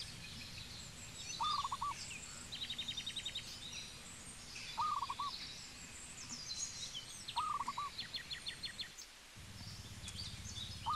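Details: Four bursts of quick, staccato cooing from a zebra dove in Cambodia, roughly every three seconds, while other birds add high rapid chattering series and faint chirps over a constant low rumble.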